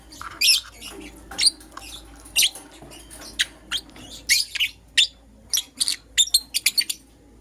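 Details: Morning chirping from lovebirds, a green personata and a yellow pastel pied: shrill, high, clipped chirps repeated roughly every half to one second, becoming faster and denser toward the end.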